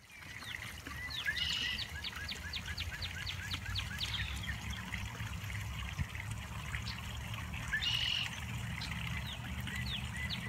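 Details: Birdsong on a spring morning, 22 March 2021: rapid series of short high chirps and trills, with two louder bursts about six seconds apart, over a steady trickling water sound and low rumble.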